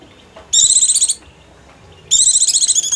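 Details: White-eye lure call used to attract wild birds: two bursts of high, rapid, chattering trills, each lasting about half a second, separated by a pause, over a quiet background.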